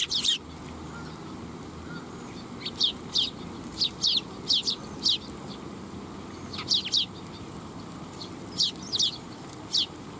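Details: Eurasian tree sparrows coming to be fed at a Tenmangu shrine in Japan, 12 July 2021; short, sharp high chirps given singly and in pairs at irregular intervals over a low background rumble.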